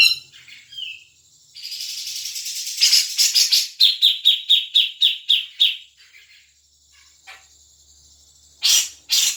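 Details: Grey-cheeked bulbul lure sound to trigger singing in a caged bird: a short whistle, a hissing rush, then a fast even run of sharp, ringing chips, ending after a pause with two harsh notes.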